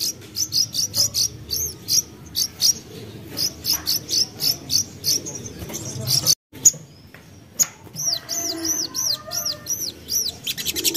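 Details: Lure song of a young common iora meant to make birds sing: long series of high clipped notes repeated about twice a second, later turning to curved arching whistles in quick succession.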